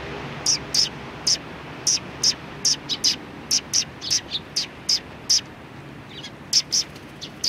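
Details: Sparrows from a neighbouring flock recorded on 14 March 2019 at a Tenmangu shrine: short high chirps repeated in irregular bursts, roughly two or three per second, over faint low background hum.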